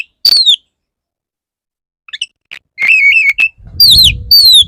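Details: Male Oriental magpie-robin singing to court a female: a sharp descending whistle, faint chips, a sustained wavering whistled phrase, then two more falling slurred whistles over low rumbling noise.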